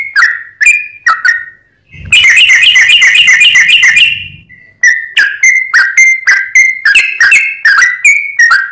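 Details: Sooty-headed bulbul singing actively in a lure recording: bubbly whistled notes in quick series, interrupted midway by a dense buzzy harmonic burst lasting about two seconds, then the whistled chatter resumes.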